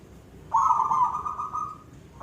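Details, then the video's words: Perkutut, the zebra dove, giving a koong-style song: one long smooth coo over a second long, slightly rising and held steady, with a new phrase just starting at the end. "perkutut silver gacor suara koong"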